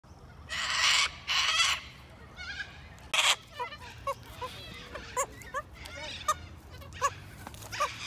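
Three loud, harsh, rasping screeches in the first three seconds, then a run of shorter, sharper squawks and chirps about once a second.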